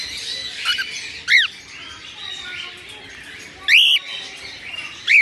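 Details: Albino cockatiels with red eyes chirping in the morning: loud arched calls repeat at irregular intervals of one to two seconds, rising and falling steeply, over steady soft flock twittering.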